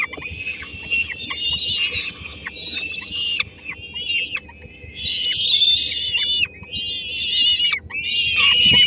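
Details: Three-week-old peregrine falcon chicks at a Helmond nest, Netherlands, in May 2016, while the female brings a small bite of prey; almost continuous hoarse, wheezy screeching in long overlapping bursts, some notes sliding downward.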